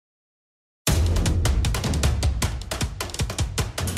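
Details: Silence for almost a second, then loud drum-kit music with rapid bass and snare hits, no animal calls.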